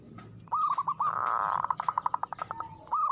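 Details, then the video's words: Local zebra dove sings aggressively, giving rolling coo phrases at the start and end. Between them comes a rushing noise and a rapid series of short pulsed notes. "suara perkutut gacor agresif mental baja"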